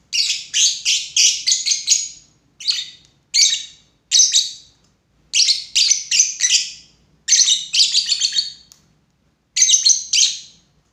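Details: Lovebird chattering continuously with fast runs of harsh, high-pitched chirps in bursts, broken by short pauses, no other sounds present.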